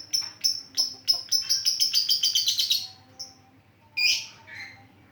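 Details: Lovebird, used as a lure bird, giving a rapid run of high metallic chirps that accelerate into dense chatter, then a pause and a couple of louder harsh squeaks.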